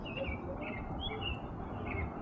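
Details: Male American robin in Minnesota, USA, April 10, 2026, singing his evening song, possibly calling for a mate and likely to nest under an awning: faint caroling phrases, about four short warbled bursts in two seconds, over low rumble.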